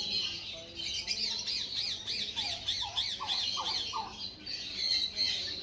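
A sun conure gives a run of harsh, shrill screeches, quick and high-pitched.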